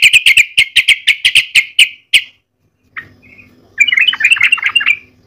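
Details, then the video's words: Sooty-headed bulbul kept as a lure bird, singing persistently: a quick run of about ten sharp, evenly spaced high chirps over two seconds. A short pause follows, then a dense burst of bright chattering notes. "gacor nya trucuk seperti suara kuntilanak anak"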